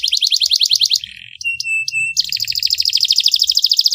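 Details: Canary masteran song, sharp tembakan style with luxurious cengkok phrasing: a rapid bright trill breaks into a lower buzzy roll, then level pure whistled notes, and a dense, fast trill resumes.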